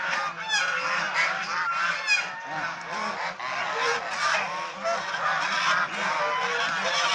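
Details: Domestic swan goose flock at play, bath and squabbles; shrill rising honks and rough nasal calls pour out densely, with a few strained high cries early on.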